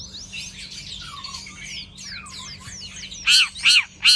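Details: Long-tailed shrike in morning sunbathing: a varied run of squeaky twittering notes and downslurred whistles, ending with three loud, harsh, scratchy squawks spaced about half a second apart.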